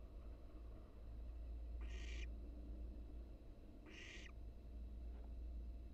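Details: Wild barn owl nestling exercising its wings inside a nest box, seen on a live cam. It gives two harsh, breathy hisses about two seconds apart, with a faint third, over a steady low hum.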